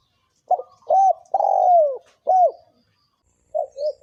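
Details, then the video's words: Thổ kim cooing from a male and female spotted dove, used to lure wild doves: one loud phrase of short arched coos and a long falling coo, then two soft low coos after a pause. "Tiếng chim cu gáy thổ kim kích bổi trống mái"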